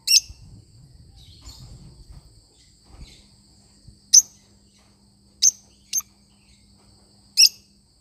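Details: Sparse, sharp chirps from a lovebird parrot, spread out over several seconds with long quiet gaps, over a faint steady hum.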